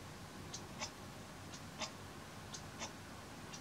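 Daurian redstart calling: a thin, high 'hee' followed by a dry clicking 'tak', repeated about once a second over a soft background hiss.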